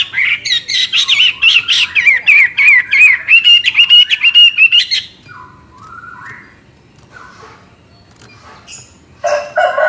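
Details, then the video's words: A Chinese hwamei sings a loud, rich run of rapid whistled and warbled phrases for about five seconds, then softer twitters and a brief harsh burst. "Burung Hwamei Wambi NGOCEH Istimewa Gacor Suara Cristal"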